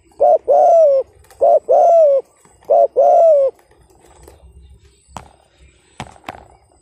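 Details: Urging coo of a spotted dove: three strong phrases of a short note and a longer ringing coo, repeated about every second and a quarter, followed by quiet and several sharp knocks or clicks.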